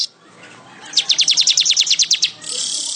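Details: Weaver singing a fast run of about fourteen sharp, ticking notes, evenly spaced and high-pitched, lasting just over a second, followed by a steady hiss.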